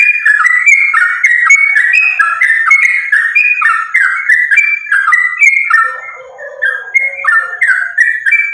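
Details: Sooty-headed bulbul in fighting-style song used as a lure: a long, breathless stream of warbling whistled phrases swinging between higher and lower notes, briefly softening and lower in pitch toward the end before resuming.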